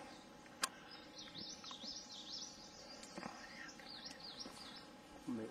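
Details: A Green-tailed Sunbird at Doi Inthanon National Park near Chiang Mai, Thailand, gives a thin, high twittering run of quick, wavering notes, against a soft rural hum, a few clicks and a man talking.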